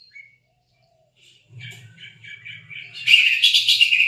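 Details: Cucak ijo, a lure recording for a silent bird: after a quiet start, a run of quick high chirps builds into a loud, dense, bright warbling burst, with a low steady hum underneath.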